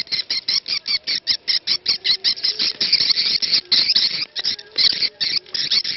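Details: Swiftlet lure ("ceklok") recording: high, dry, buzzy chirps in quick bursts of about two or three a second, with a faint, low sung call to prayer underneath.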